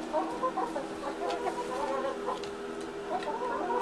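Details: Several contented farm chickens, laying hens, cluck and murmur together in a steady, overlapping chatter of soft, mid-pitched notes with no break, and no other clear sounds stand out.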